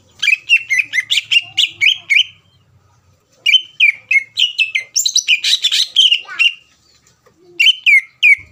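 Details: Greater green leafbird song aimed at provoking a rival: dense bursts of chattering, whistled notes, some buzzy and harsh, separated by short silences.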